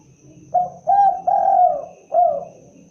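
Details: Typical voice of the spotted dove, called derkuku or tekukur: a four-part cooing phrase of a brief note, a steady coo, a long sustained coo and a short descending ending.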